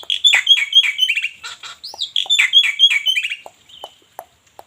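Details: Black-winged myna from Cianjur singing a fast sequence of harsh, squawky chattering notes with buzzy overtones, fading into a few scattered soft clicks.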